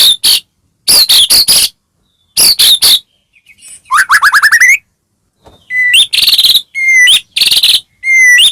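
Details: White-rumped shama song meant to stir other shamas to sing: clusters of harsh chattering bursts, a rapid rising trill, then clear high whistles alternating with loud rasping notes.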